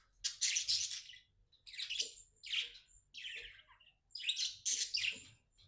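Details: Pet budgie, described as happy, uttering clustered bursts of harsh, buzzy chirps roughly every second, separated by short silences.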